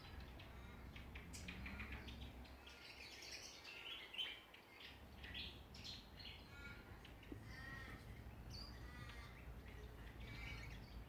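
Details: In a Ballajura, Western Australia backyard, many songbirds call together in a continuous mix of chirps and ringing, rasping notes over a low background rumble.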